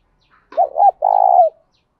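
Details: Spotted dove calling to stir other doves into answering; a hoarse opening note pair leads to a drawn-out, gently pulsing coo with a falling finish.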